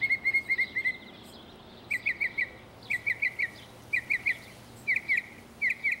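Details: Mockingbird singing in Texas: a fast string of even notes followed by several clusters of three or four sharp, chirping notes, each cluster repeating the same pattern.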